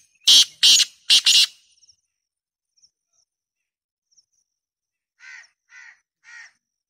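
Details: Loud Black francolin phrase of three harsh, grating notes in rapid series, followed after a pause by three softer, more distant answering notes evenly spaced.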